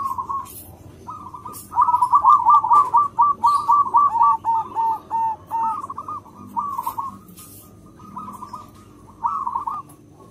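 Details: Loud local zebra dove, a frequent singer with a big voice, kept as a lure for all zebra doves: a long run of fast, clipped cooing notes that trail off into spaced, softer phrases.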